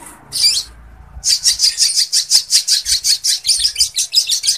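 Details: A crimson sunbird whose song includes lovebird-like phrases, used as a tutor to excite other birds, sings a fast run of very high, sharp chipping notes, about four each second, after two brief opening chirps.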